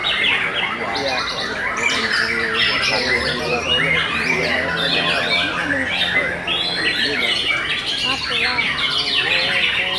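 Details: Competition canaries of the Kenari MB class, session 5, sing together. Overlapping fast chattering trills and squeaky rattles fill the air, with low steady hum and crowd voices in the background.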